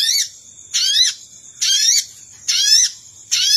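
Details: Sogon lure sound meant to attract wild birds: broad, rasping bursts of climbing layered sweeps, repeated a little faster than once a second, with a steady high tone between them.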